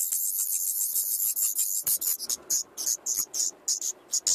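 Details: Common nightingale nest holding five chicks in a house attic, fed by both parents every 2–9 minutes, filmed 15 May 2014 by an adjacent camera; dense high hissing bursts, continuous at first, then broken into short repeated pulses.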